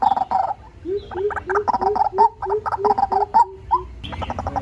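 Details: White-breasted waterhen call used as a decoy lure sound: rhythmic gurgling series of short throaty notes, about three per second, with a lower bubbling undertone and a brief pause before a final burst.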